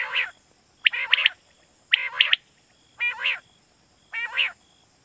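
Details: Quail calling as a night-hunting lure in Pakistan: five rough, harmonic rasping bursts about a second apart, some topped with sharp clicking notes, under a faint high hiss.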